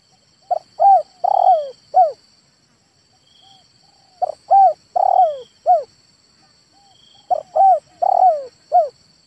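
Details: Male spotted dove uttering phrases of four or five notes, short coos, a burry middle note and a downslurred ending, repeated about every three and a half seconds; faint steady high whine throughout.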